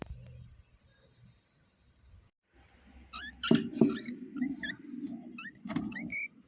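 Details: A cockatiel that is laying eggs gives short, high chirps in quick bursts over a low background rumble.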